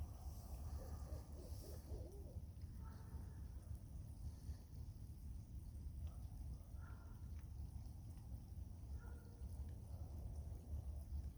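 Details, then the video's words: Noisy owls giving low, soft hoots every couple of seconds over a steady rumble of background noise, with a faint trickle of water. "Owls making noise"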